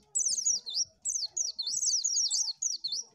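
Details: Oriental white-eye singing continuously, a song used for luring birds: fast, high, sweet notes sweeping up and down in a jittery zigzag, phrases flowing almost without pause.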